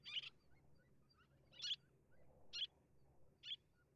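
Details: Little tern giving four sharp, harsh high-pitched calls spaced about a second apart, each short and grating, over a low steady background hum.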